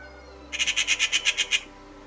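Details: Eurasian magpie in the UK, a bird of farmland to upland moors, gives its abrasive, chattering rattle: about nine rasping notes in quick succession, roughly eight per second, lasting about a second.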